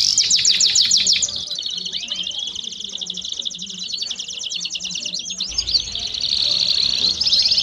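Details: Belgian canary among common canaries singing a quick staccato trill that softens into a long, even, buzzy roll, then sharp curling whistles before the trill returns louder.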